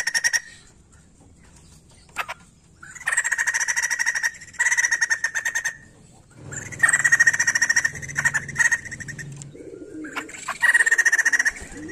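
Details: A persistently singing white-crested laughingthrush, played to get untrained birds of its kind singing. It makes repeated harsh, rattling chatter bursts of fast pulses, each a second or two long, over a faint low hum.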